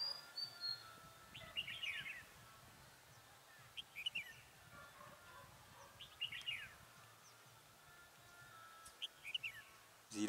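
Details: During a trapping session on 27/11/2017, a red-whiskered bulbul decoy sings brief, bright warbled bursts roughly every two seconds, faint against constant hiss, ending with a sharp knock.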